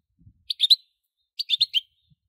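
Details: European goldfinch giving two short bursts of three or four quick, high, clipped chirps, about a second apart, in otherwise quiet surroundings.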